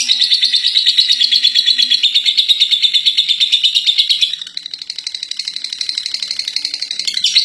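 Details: Contest-winning lovebird in its long ngekek chatter: a continuous stream of high, gritty pulses at roughly three per second, strong for four seconds, then briefly quieter before building back up.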